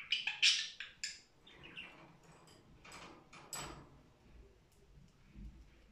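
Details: Budgerigar singing cheerfully: a burst of loud, high chirps and short buzzy notes in the first second and a half, then softer scattered twittering fading through the rest.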